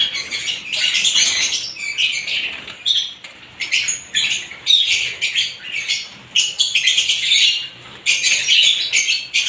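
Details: Several different kinds of lovebirds chirping together. Loud, dense, high-pitched chatter of squeaky chirps and twittering bursts runs almost without pause, with brief gaps every second or two.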